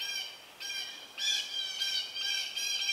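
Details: Southern Red-shouldered Hawk family at the nest, young close to fledging as an adult arrives with a snake. Nearly continuous harsh, buzzy squawking comes in overlapping bursts, growing louder partway through.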